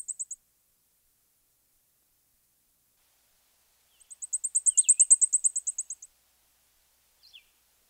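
Blackpoll Warbler: a very high, thin run of about twenty quick identical ticks that swells in the middle and fades, almost insect-like. A faint lower chip sounds once.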